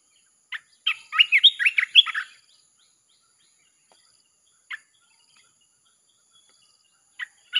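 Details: Red-whiskered bulbul chopping song for luring wild birds. One rapid, warbling phrase of chirpy notes is followed by scattered single chirps after a pause, over a faint constant high tone.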